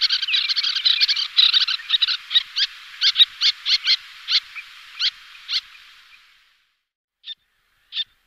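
Little Tern giving rapid, harsh, high chattering calls that break into separate sharp notes, slowing and ending with two isolated squeaks.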